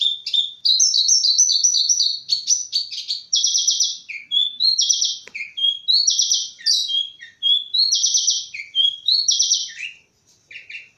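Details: A bush lark delivers a varied, fast song: clipped whistles, rising slurs and dense buzzy trills alternating in quick succession, with a sharp click near the middle and a brief pause before the end.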